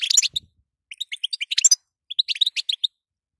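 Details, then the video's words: Female European goldfinch calling to stir a male into song: quick bursts of high, bright twittering chirps, some clustered notes at the start, then a pause and two more rapid runs of sharp tinkling notes. "ستسته وبتبته تخلي حسونك نار"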